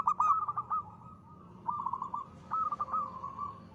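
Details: Local zebra dove singing in the crisp 'ngristal' manner used as a lure: short bursts of quick staccato coos, each trailing into a brief purring trill, three phrases in under four seconds.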